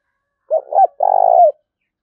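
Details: A decoy spotted dove calls aggressively to goad a rival: one phrase of two short rounded coos, then a long, steady, trilling coo that dips at the end.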